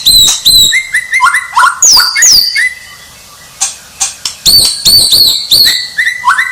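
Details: Champion white-rumped shama singing a rich, varied run of clear whistles, some high and piercing, others lower and sliding, in quick clusters broken by a brief quiet gap, with sharp clicking notes mixed in.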